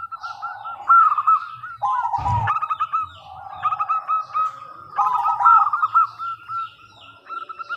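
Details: Crystal-voiced local zebra dove giving a lure song for other doves to answer: repeated phrases of quick, curled coos with lower rolling notes, a brief knock in the middle and faint twittering.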